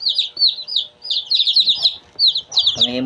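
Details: Peeping of two-day-old Shamo chicks, a dense run of high falling chirps in clusters, ending with a lower harmonic cluck-like sound.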